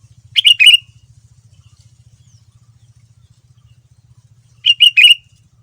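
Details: Sooty-headed bulbul, described as a very active singer, gives two short bursts of three quick, bubbly whistled notes a few seconds apart, over a soft, steady pulsing hum.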